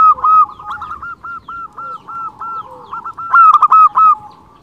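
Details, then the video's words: Local zebra dove in eager song, used as a lure for zebra doves: loud opening coo, a steady run of evenly spaced medium coos, then a final loud bout of rapid staccato notes. "Perkutut lokal gacor Suara unik cocok untuk pancingan semua jenis burung perkutut"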